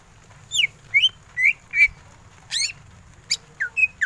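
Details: Greater green leafbird in ngentrok song, with single clear whistles spaced about half a second apart, alternating downslurred and upslurred notes, broken by one harsh rasp.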